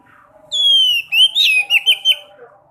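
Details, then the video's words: Caged sekoci song to stimulate other sekoci to sing: a long falling whistle followed by four or five short, loud slurred notes, with a faint lower warble in the background. "Pancing burung sekoci yang males bunyi"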